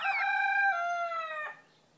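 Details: Frizzled Pekin bantam cockerel, blue with white mottling, crowing: a loud, sustained, slightly falling tone with strong harmonics lasting about one and a half seconds, ending abruptly into quiet.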